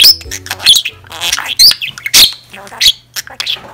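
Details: Pet budgerigar chattering in a monologue like a chatty middle-aged woman: rapid, varied squeaky syllables with bright whistled notes and scratchy bursts, an irregular flow of about 1.5 elements per second, over a steady low electrical hum.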